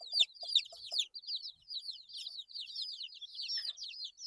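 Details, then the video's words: Eight-day-old chicks chirp in an unbroken chorus of thin, high, slurred peeps; a few soft taps are heard near the start. "Chicks Chirping Sounds - Baby Chicken Sounds"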